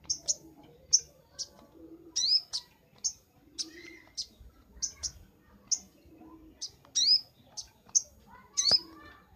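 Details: Sunbird chirping on a master recording for training birds: thin, high, sharp upslurred notes repeated irregularly about every half second, in a quiet setting.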